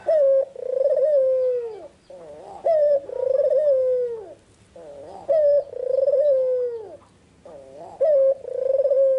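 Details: A white, red-eyed Barbary dove coos in the afternoon, giving soft, low, rolling coos. Each two-second phrase starts with a sharp rise and ends in a drawn-out purr, repeated four times with no other sounds.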